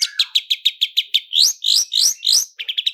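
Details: Long-tailed shrike lure song, roll speed and roll tembak, full of fill-ins: a quick even series of high chip notes, then upswept whistles, ending in rapid short chirps.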